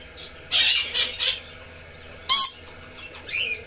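Red lory giving harsh, screechy squawks: a burst of three quick shrieks, then a single loud screech and a softer rising note.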